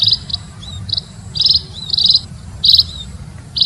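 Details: Buzzy, high munia chirps in short bursts, some doubled, arriving irregularly over a continuous low hum.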